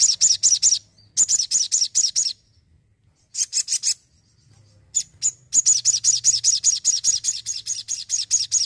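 A Crimson Sunbird sings in rapid bursts of high, thin, sibilant notes, about eight to ten per second, with brief pauses between phrases.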